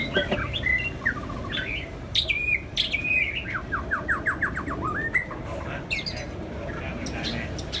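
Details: White-rumped shama song during a bout between two birds: wavering whistles, then a rapid evenly spaced series of downslurred notes, and a few sharp high clicks over low background noise.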